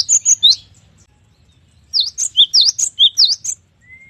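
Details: Gelatik batu, a Cinereous tit, singing with varied gacor song: three crisp high chirps, a pause, then a rapid run of about nine sharp alternating notes with V-shaped sweeps and short whistles, low background hum.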